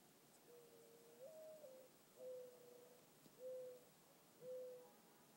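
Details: Mourning dove cooing in the evening: a longer rising-and-falling first coo, then three shorter steady coos about a second apart, over faint background hiss.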